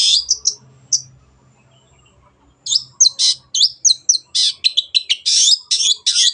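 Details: Long-tailed shrike in vigorous gacor song offered as a clear tutor recording: a few high scratchy notes, a silent gap of over a second, then a dense series of harsh, varied chattering and squeaky phrases.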